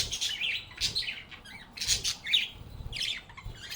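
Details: Happy budgies chirping and chatting with each other: dense, quick bursts of raspy, high warbled notes packed closely together, with almost no pause between them.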